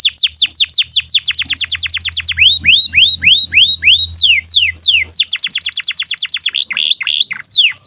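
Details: Long canary song used as a tutor for young canaries: fast runs of descending whistles, slower arched notes, then more rapid downsweeps and quick rolled phrases, with a faint low hum underneath.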